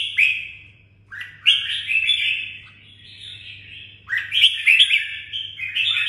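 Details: Red-whiskered bulbul kept as a cage bird in Đồng Nai, Vietnam, delivering lively chattering, warbling phrases in quick succession with sharp accented notes over a faint constant low hum.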